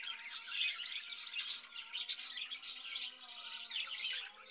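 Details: Caged budgerigars, kept for breeding, give dense, scratchy, squawking chatter that runs almost without pause in uneven bursts, with faint sustained musical tones underneath.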